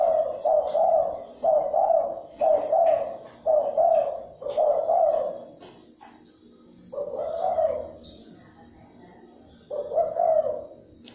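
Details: Spotted dove giving lure calls to draw in other doves: grouped phrases of throaty coos, a dense run at first, then single longer phrases separated by quiet gaps of a few seconds, with a faint steady high tone.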